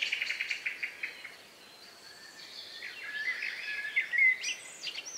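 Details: Countryside birds at the close of day, recorded around 9 p.m. on 2 May 2020; a fast series of short chirps opens, then warbled whistles and a high rising flourish near the end.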